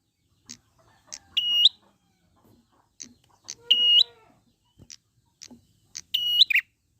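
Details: Prinia singing in the wild, recorded as a lure to make birds sing: quick high clicks alternate with bright flat whistles that end in a buzzy flourish, plus a softer lower slurred call in the middle.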